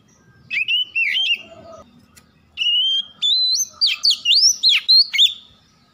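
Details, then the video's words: White-rumped shama used as a lure to make birds sing: rich whistled phrases between 2 and 6k, sliding and looping notes in two bursts, first brief, second a fast run of varied whistles. "PANCINGAN KACER CEPAT GACOR"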